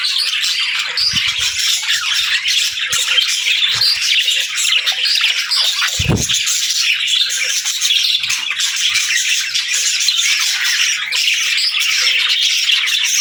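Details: Lively dawn calling from many pet parakeets and lovebirds, constant overlapping squeaky chirps and squawks, with a single low thump around six seconds.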